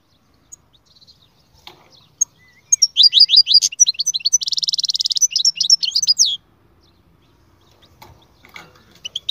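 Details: Canary in full song, with a run of quick sweeping notes rolling into a long, fast, buzzy trill and then more swept chirps before it stops, leaving quiet.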